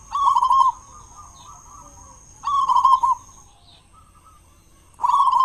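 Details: Loud local zebra dove used to coax other doves into song at morning and evening: short rolling coo phrases repeated about every two and a half seconds, each followed by soft quiet notes, steady high whine behind.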